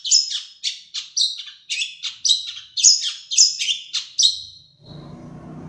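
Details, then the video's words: Madura long-tailed shrike singing sparrow and Java sparrow imitations: about ten fast, squeaky chattering notes in a rhythmic series, followed by low background noise. "Suara Burung Cendet Madura Gacor variasi Gereja gelatik wingko"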